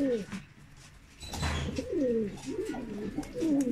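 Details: Domestic Mukhi pigeons give sliding, throaty coos that rise and fall in short phrases, interrupted by a brief thump and a faint human voice.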